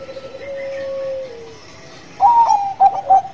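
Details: Bangkok-strain zebra dove in full song. A long, steady, level cooing note slides down at its end, then after a short pause comes a burst of clipped, bubbling coos.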